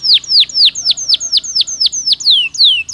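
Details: Canary singing in a recording meant to boost bird activity and breeding success. Bright, descending whistled syllables come in a steady run, each a sharp falling sweep, with a few notes stretched longer near the end.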